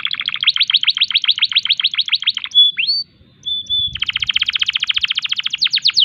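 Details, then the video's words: A canary in breeding condition sings a rapid even trill, a short upswept whistle and flat tones, then another dense rattling trill ending in swoops. "tembakan unik kenari gacor birahi"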